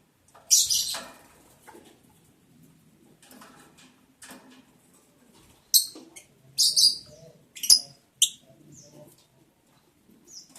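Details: Breeding lovebirds on day 11, 11 July 2022, heard during mating. One loud shrill chirp opens, followed after a quiet stretch by a run of five or six sharp, high, clipped chirps with faint scratching between.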